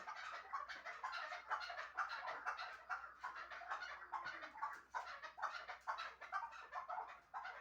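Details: Chukar partridge of Shahritus, a hunting bird, with hoarse clucking notes repeated roughly twice a second over a noisy background.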